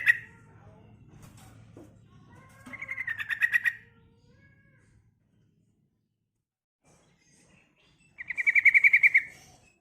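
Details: Calls of a female yellow-vented bulbul summoning a male: two bursts of fast repeated chattering notes several seconds apart, the second louder, with a quiet low hum and faint scattered sounds between them.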